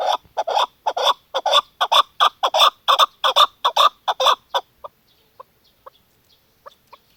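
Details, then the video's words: A female chukar partridge gives a fast, steady series of hoarse clucks for about five seconds, then a few faint, spaced notes trail off into quiet. "keklik sisi chakor birds female madi dasi"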